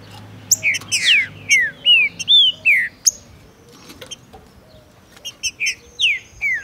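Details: Fast, eager song of a male Saltator similis (trinca-ferro) near a female, in breeding and tournament season: a rapid string of downslurred whistles, pausing, then more slurred notes mixed with crisp ticks and a faint low hum.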